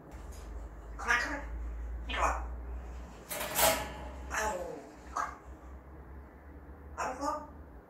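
A parrot utters short, scratchy, word-like phrases in quick bursts, about seven over eight seconds, against a steady low indoor hum.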